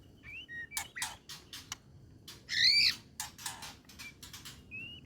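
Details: White-rumped shama delivering trotolan jahad song with full emotion, mixing short whistles, dry clicks and rattles with one loud harsh burst in the middle, over quiet background hiss.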